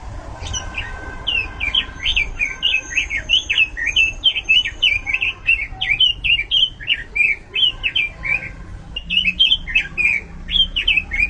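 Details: Robin song from a bird-keeping setting: a long, lively string of high, quickly modulated whistles and chirps, tightly packed and varied, running nearly unbroken for over ten seconds with low background hum.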